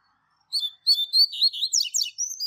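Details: High clear notes from a Double-collared seedeater tutor singing the classic Tui Tui Zel Zel song used to train young birds, rushing into a dense stream of buzzy, warbling and trilled phrases over two seconds, quiet background.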